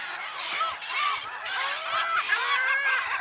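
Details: Black-headed gulls at Lake Sarymsak, Pavlodar region, Kazakhstan, 10 April 2011: a crowd of harsh, arched, down-slurred calls overlapping continuously, with a few clearer whining notes standing out above the chorus.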